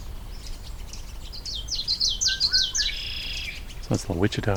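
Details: Common Yellowthroat at marsh-edge wetland of Sibbald Meadows Pond, Kananaskis, in summer, singing a quick run of high, rolling 'witchety' phrases, several in about a second and a half, followed by a man talking.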